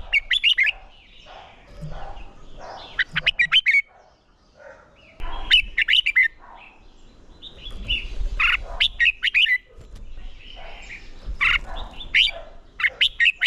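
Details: Red-whiskered bulbul singing for competition training, with repeated rapid phrases of clear, slurred whistles and chirps, several bursts over the stretch broken by brief lulls, and soft low noise beneath.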